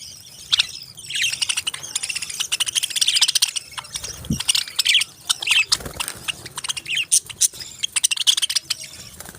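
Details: Chirping parrots in a busy, overlapping chorus of quick, high twitters and clicks that build after the first second and continue steadily with brief louder bursts.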